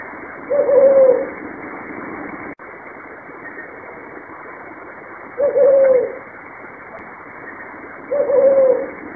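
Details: Brown fish owl giving three deep, hollow hoots about three seconds apart, each a short steady note, over a quiet background hiss.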